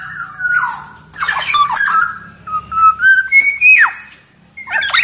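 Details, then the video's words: Black-naped oriole from Sumbawa, a large-bodied caged bird singing actively, used as master song to lure and train other orioles: fluty whistled phrases sliding between low and higher pitches, broken by harsh scratchy bursts, rising whistle near the end. "Burung kepodang gacor SUARA cocok buat PANCINGAN MASTERAN SUARA PIKAT TERAPI podang agar cepat gacor"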